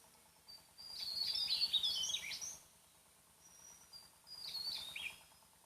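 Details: Loud, far-carrying song of a wild Javan tesia on Java. Thin high notes burst into a fast, tumbling, squeaky jumble of falling and twisting notes lasting nearly two seconds, then a shorter second phrase follows over a soft steady hum.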